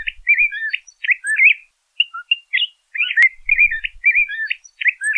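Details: LeConte's thrasher (Toxostoma lecontei) song: a varied string of short, slurred whistled phrases, mid-to-high pitched, delivered in rapid bursts with brief pauses between.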